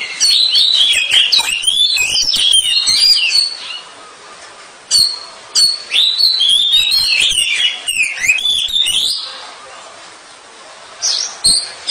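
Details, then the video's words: Kacer, the Oriental magpie-robin, used as training song for sluggish birds: bursts of fast, varied whistled phrases and sharp chips, broken by quieter stretches, then a fresh outburst near the end. "TERAPI KACER ANTI LEMOT MENTAL JUARA LANGSUNG NGERIWIK"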